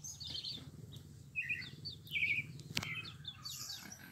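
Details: Song of a pale-breasted thrush, brief trilled and warbled phrases separated by pauses, accompanied by higher thin chirps and a sharp click partway through.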